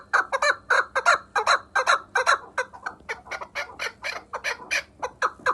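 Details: Chukar partridge from Vanj calling in a fast, steady series of harsh clucking chuk notes, about two or three per second, rising and falling slightly in loudness throughout, with a faint low hum underneath.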